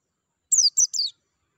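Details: White-eye, meant to stimulate singing in captive birds: three rapid high, thin notes sweeping downward, run together within about half a second.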